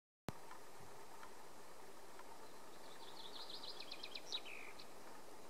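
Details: Short-toed snake eagle at Saint-Aubin-de-Médoc, France: a rapid series of high, clipped whistled notes that grow louder, then a longer falling whistle, over a steady low rumble.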